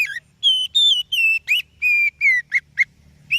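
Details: Oriental magpie-robin song suited as a lure for other birds: a run of loud, clear whistled phrases, some level, some sliding downward, ending in short sharp notes and a rising whistle, over quiet background.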